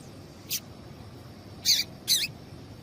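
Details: Female Double-collared Seedeater giving calls meant to get a male singing; one brief high chirp, then two louder, slightly downward-sweeping notes half a second apart, against a soft background hiss.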